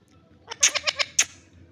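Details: A newly acquired green rose-ringed parakeet talks, apparently saying "two" and "maybe two": a quick run of five or six harsh, raspy, word-like syllables in under a second, ending on a sharper squawk.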